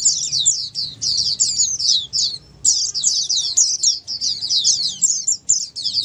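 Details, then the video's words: Oriental white-eyes calling together, used so that quiet caged white-eyes reply and sing diligently; fast, very high chittering runs, a brief silence with a faint thin note, then continuous twittering. "Dengar Suara Pleci Ombyokan ini pasti nyaut burung pleci anda"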